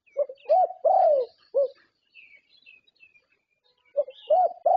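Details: Thai champion zebra dove, winner of prestigious contests, its voice the standard judges score: low, mellow cooing notes in two short bursts separated by a quiet gap, with faint high chirps of other birds in between.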